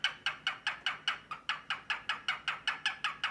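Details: A captive male cockatiel displays to a drowsy female with a fast, even series of sharp clicking 'ka-ka-ka' notes, about four per second, each a brief raspy burst.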